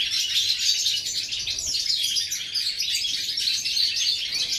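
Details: Continuous goldfinch song from 11 September 2018, a busy jumble of high, sharp twitters, buzzes and liquid notes, steady in loudness and densely packed throughout.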